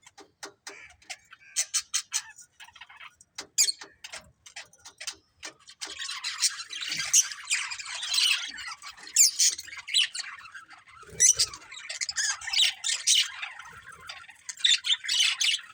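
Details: Breeding pair of budgerigars giving irregular high chirps and scratchy chatter, sparse at first, then thicker, overlapping bursts of shrill notes in the second half.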